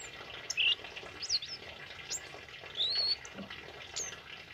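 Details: Song of a tame male kemade: a loud warbled whistle, then thin high chirps, and a longer rising whistled phrase near the end, set against a constant hiss like running water.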